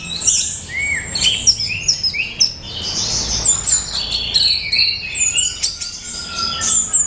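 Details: Male orange-headed thrush pouring out a rapid, varied song of thin high whistles, chirps and downward slurs, densely packed notes running throughout with faint background hiss.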